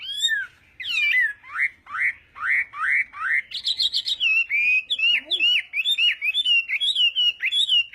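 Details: Chinese hwamei rehearsing its song in the morning: repeated upslurred whistles about twice a second, a quick buzzy trill, then fast rolling warbled whistles continuing steadily.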